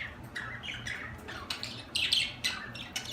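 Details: Budgerigar giving soft, scattered chirps and short squawky notes, fairly quiet, over a steady low hum.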